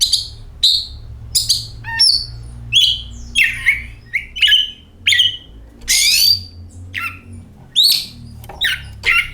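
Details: Varied singing by an oriental magpie-robin, played as a lure to prompt singing: short whistled phrases, upslurs and scratchy notes delivered in brisk bursts about once a second, with a low background hum.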